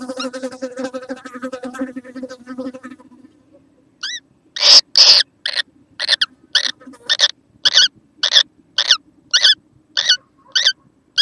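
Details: Young kookaburra recorded on 6 November 2014: after a few seconds of a low droning hum, squeaky upslurred calls repeat roughly twice per second in a steady series, broken by loud broadband bursts.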